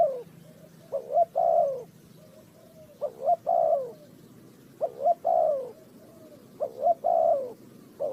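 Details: Spotted dove cooing during bird trapping in Ninh Thuận: clear repeated phrases of two clipped notes and a full descending coo, about four phrases, over a faint low hum.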